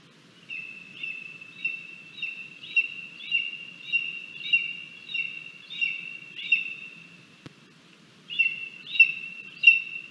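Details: Lesser spotted eagle chick at the nest at breakfast on 17 August 2022, crabby and pushing its mother away from the food, recorded by a nest camera: high whistled notes repeated about every second, a brief pause, then the series resumes.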